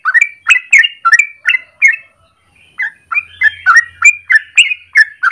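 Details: Yellow-vented bulbul giving its long rolling song in the morning, used for luring or training birds: quick burbling whistled notes, a short silent gap near the middle, then the liquid chatter resumes over a faint low hum.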